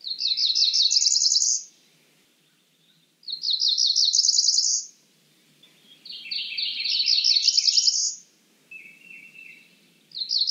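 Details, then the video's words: Cerulean warbler singing a repeated phrase of quick buzzy notes that rises and ends in a high, thin trill, given about every three seconds with brief lower buzzes between. "Cerulean warbler Calling."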